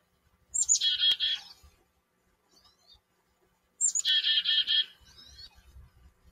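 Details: Chickadee singing in a backyard: two chick-a-dee phrases about three seconds apart, each a thin high note then a quick run of buzzy, raspy dee notes.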